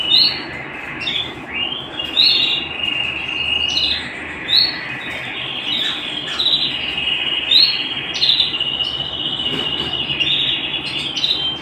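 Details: Canary song recorded at home, a bright continuous trill punctuated every second or so by sharp high up-slurred notes, building into dense rolling phrases, with background hiss throughout.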